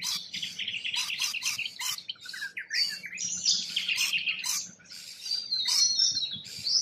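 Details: Wild rainbow lorikeets in Australia: harsh, piercing squeals and grating chatter overlap in a busy jumble, with a brief gap and thin whistled notes near the end.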